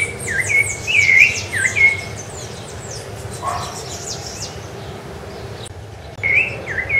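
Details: Rufous-bellied thrush, or Sabiá-laranjeira, on Ilha do Governador, Brazil, January 2013: a burst of swooping whistled notes, then a pause with a brief lower sound and high faint chirps, before the whistles resume at the end.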